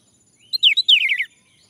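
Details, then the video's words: Male orange-headed thrush, used as a lure to prompt other males to sing: a quick varied phrase of bright whistled notes that slide downward, ending in a rapid descending trill, on a silent background. "Anis merah jantan, agar bunyi"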